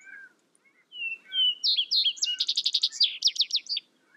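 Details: A Vesper sparrow sings once: a few clear, low whistled notes, then a tumbling series of fast buzzy trills at a higher pitch that fade at the end.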